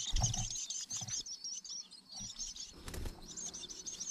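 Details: Long-tailed shrike chicks being fed by a parent in the wild; high, scratchy chirps repeated rapidly in a dense stream, with soft rustling and a few low thumps.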